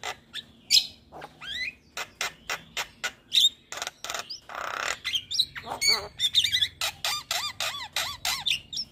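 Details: Javan pied starling singing continuously, a loud varied run of sharp whistles, harsh squawks, clicks and rising-falling whistled notes delivered in rapid separate bursts, ending in a series of repeated arched whistles.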